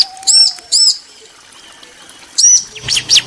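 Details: Bar-winged prinia pair, female and male calling back and forth: a few high, sharp arched notes in pairs separated by pauses, with a faint low whistle at the start.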